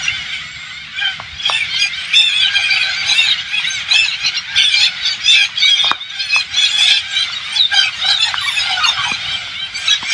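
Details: Hundreds of green parakeets, believed to be Alexandrine parakeets, invading an organic farm in rural Thailand form a large flock, filling the air with a continuous din of shrill, harsh screeches and chatters, many birds calling over one another.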